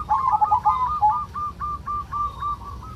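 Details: Local zebra dove in the 'kerot' (ngerot) style, played as a lure to raise other doves' breeding urge: a continuous run of rolling, trilled coos at a steady mid pitch, quickly repeated over three seconds above low background rumble.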